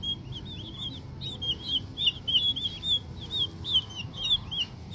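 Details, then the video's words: Green junglefowl chick, young and small, giving a run of thin, high peeping chirps, short slurred notes repeated rapidly and unevenly across the whole stretch, with a low background hum. "lucu juga ya anakan ayam hutan kalau masih kecil"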